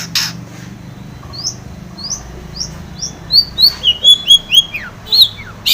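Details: Long-tailed shrike in lively song, used as a lure to get silent shrikes singing: a run of short, sharply rising whistled slurs, spaced then quickening near the end, with a few clicks at the start.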